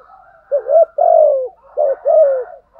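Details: Lure spotted dove performing 'gù' and 'thúc' phrases to provoke wild birds. Soft burbling leads into two pairs of mellow coos, each a short rising note followed by a longer falling one.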